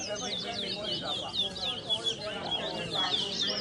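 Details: Twa-twa (large-billed seed finch) competing in a bird singing race at a bird ground in New Amsterdam, Berbice, Guyana; rapid high whistled and trilled phrases, repeated in quick succession, over a low murmur of crowd voices.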